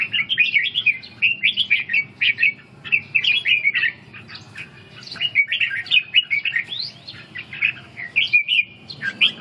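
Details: Red-whiskered bulbul in training to rebuild stamina and practise ché song, delivering repeated bursts of bubbly, warbled phrases with brief gaps, over about nine seconds.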